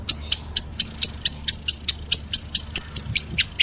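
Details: Short burst of meloloh lovebird calling: bright, piercing chirps repeated about four times a second in an even rhythm.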